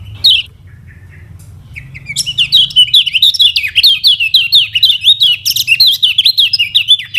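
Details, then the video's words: After an opening chirp and a short pause, a Lombok yellow kecial (lemon-bellied white-eye) launches into a rapid continuous high twittering warble with quick wavering notes, kept as a teaching song for other birds to learn. "KECIAL KUNING PANCINGAN UNTUK BURUNG BELAJAR BUNYI DAN MALAS BUNYI"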